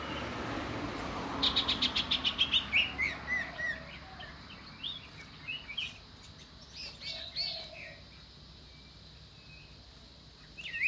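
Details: Common iora delivering a fast, regular burst of about ten short, high notes, then scattered high chirps and descending notes spread over the next several seconds. Background stays fairly quiet.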